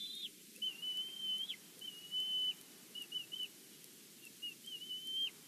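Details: High whistled calling of a bald eagle at its Big Bear nest on a live camera, one bird angry: a long level piping whistle with hooked end, then scattered short chips and a final drawn-out whistle over faint hiss.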